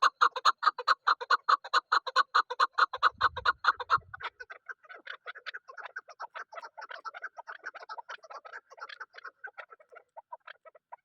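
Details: Female chukar partridge used as a hunting decoy gives a fast, even series of loud chuk notes that gradually turns into softer, rapid, scattered clucks fading toward the end.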